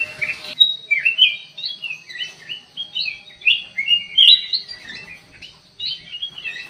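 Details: Black-crested bulbul singing in an aviary: a lively string of short, warbling whistled notes rising and falling, delivered in quick clusters with brief pauses.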